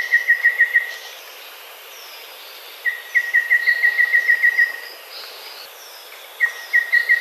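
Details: Golden babbler song: quick runs of six to nine even, piping notes on one steady pitch, separated by pauses, with faint higher chirps from other birds.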